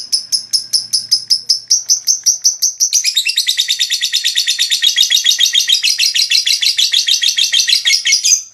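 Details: Lovebird ngekek song meant to stimulate rival lovebirds: steady high chirps that speed up into a long, continuous rapid chatter, ending abruptly.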